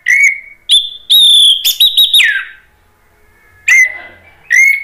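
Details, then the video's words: Orange-headed thrush from Indonesia singing to provoke other thrushes to reply: clear sustained whistles, some long and level, some broken into quick stuttered notes ending in a falling slur, then a pause and two more whistles. "ANIS MERAH GACOR MATERI PEDES bikin NYAUT NGEPLONG ¦ PANCINGAN AM ¦ TERAPI MACET"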